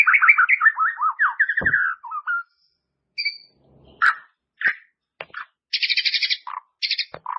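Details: White-rumped shama training recording for caged birds: a rapid descending series of slurred whistles, then scattered sharp clicks, buzzy high bursts and short calls.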